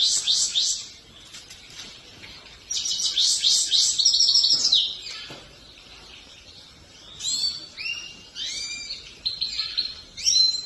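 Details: Song of a grey-crowned goldfinch: fast liquid twitters and buzzy trills in bursts, with quieter gaps and then varied short chirping notes.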